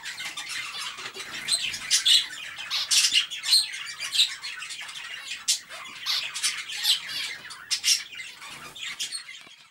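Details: Several caged zebra finches in breeding cages call busily: dense, high, nasal chirps and beeps repeated rapidly and overlapping throughout, with faint rustling in an enclosed room.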